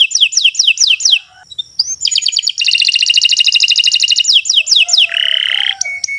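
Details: Tutor recording of a singing canary, meant for other birds to copy: falling whistled notes in a rapid series, a short pause, a long fast rattling trill, more falling notes, then a low buzzy roll and a thin whistle.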